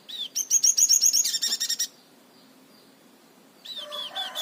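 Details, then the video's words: Crimson sunbird giving an unusual 'tembakan' song: a burst of rapid, high, metallic trilled notes, about a dozen in under two seconds, then a pause before thin curved chirps start again. "burung sogon tembakan nyleneh"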